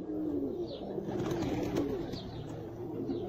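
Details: Jafari pigeons, described as the smallest pigeon type in the world, giving low, steady humming coos under faint, sharp, high chirps from other birds.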